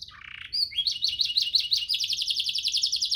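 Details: Canary master song for training canaries to sing well: a low buzzy trill, then a high note and fast rising chirps repeated about three times a second, ending in a rapid rolling trill.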